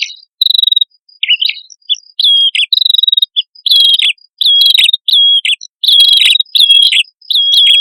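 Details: Prinias locally named prenjak kepala merah, a male and a female, singing hard for luring birds: repeated high chirps and short pulsed trills in steady phrases, joined by faint higher squeaks.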